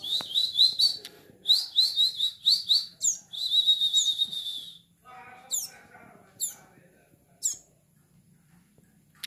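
A young bar-winged prinia gives thin, high, insistent chirps in quick bursts, several times a few seconds apart. Lower murmuring and faint background noise follow.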